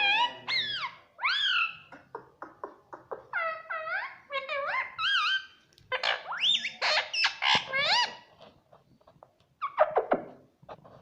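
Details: Talking parrot mimicking "mummy" in a rapid, nearly continuous string of short, clear, harmonic slurred syllables, some rising then falling, mixed with quick clicks and chatter.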